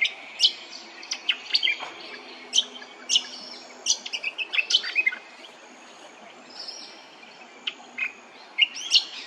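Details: Hervey Bay, Queensland: a brown honeyeater sings a busy series of sharp, high whistled chips and slurred notes, pausing for a few seconds before a final burst.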